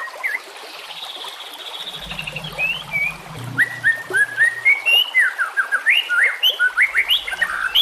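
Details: White-rumped shama song used for training, with nature sounds: sparse opening notes, then loud clear whistles that rise and fall in rapid, varied phrases, with a low cooing hum in the middle.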